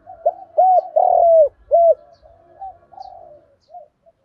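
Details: Spotted dove decoy calling to lure wild doves: short note, arched coo, long buzzy coo and a final arched coo, then several faint distant coos.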